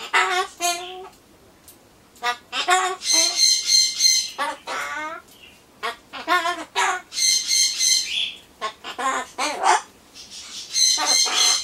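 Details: Pet Solomons corella indoors talking to itself while waiting for pumpkin, mixing harsh squawks with mimicked speech-like phrases in short bursts, and a loud shrieking note repeated several times.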